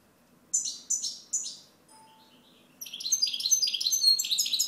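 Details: Three sharp, downward-sliding chirps from a European goldfinch, a brief soft note, then a rapid, continuous jumble of high, liquid twittering.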